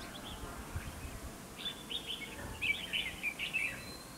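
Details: Red-whiskered bulbul singing as a fighting decoy beside a trap, a run of rapid bright warbling notes in the second half after a soft quiet opening, with low rumbling background noise.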